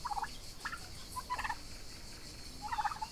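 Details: Young Royal Palm and Broad Breasted White turkeys grazing together outdoors on a summer day; four short bursts of rapid, bubbling gobble notes spaced about a second apart, over a steady background hiss.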